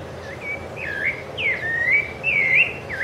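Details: Whistled song of a Rufous-bellied thrush (Turdus rufiventris) on Ilha do Governador, Brazil, in January 2013: about five fluty phrases, including a high note dropping into a long level tone, delivered in quick succession.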